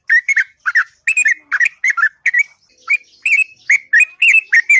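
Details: Sooty-headed bulbul in the morning giving a long, sweet song of chuckling whistled notes, closely spaced doublets with rising and falling inflections, loud and clear.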